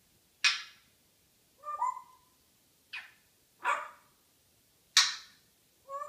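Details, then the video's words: Female African grey parrot kept as a pet, morning banter: harsh rasping squawks alternate with short pure whistled notes, six sounds spaced about a second apart. "Hilarious African Grey Chatterbox"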